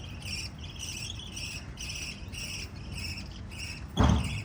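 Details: Five lovebirds chirping: an even run of short, thin, ringing chirps, about three per second, then a sudden loud thump near the end.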